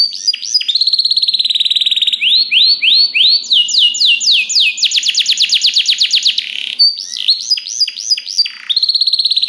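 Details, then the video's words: Song of a canary, played so other canaries will answer and learn: a chain of fast trills, each a run of identical rising notes, shifting abruptly between tours at different speeds and pitches, loud and clean with no other sounds. "DENGAR SUARA KENARI DI JAMIN KENARI ANDA NYAUT SEKETIKA || Voice of Canary"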